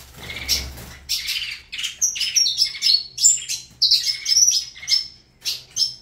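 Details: Saffron finch performing Avalanche-style song, a fast chattering stream of sharp high chirps and short whistled notes, some buzzy, given in quick bursts about every half second.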